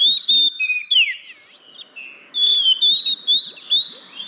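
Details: Kacer (oriental magpie-robin) song used to stir caged birds that will not sing: long clear whistles, some rising, with slurred notes and a short pause mid-way before further bright whistled phrases.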